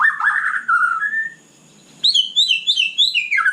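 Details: Night song of a white-rumped shama: a rich warbled phrase slurring downward, a pause, then a rapid run of bright rising and falling whistles repeated about three times a second.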